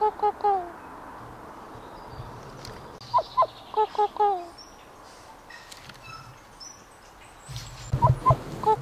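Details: A captive Kokako, kept after an injury, calling what sounds like its own name: short, clear, slightly downslurred fluty notes in quick groups, a longer falling note, then another burst near the end, with faint low rumble.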